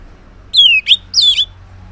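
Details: Orange-headed thrush singing in the morning, used as a lure to make silent males answer: loud high whistled phrases, a long falling slur followed by a rougher descending note, over a low steady hum.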